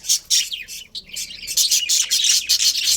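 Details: Budgerigar colony with a breeding pair, producing high, bright, slightly buzzy chirps in quick bursts, roughly two or three per second, forming a lively twittering chatter.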